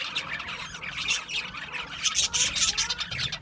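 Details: Budgerigars chatter in a brief burst of high scratchy chirps and warbles, getting louder in the second half with sharp squeaky notes.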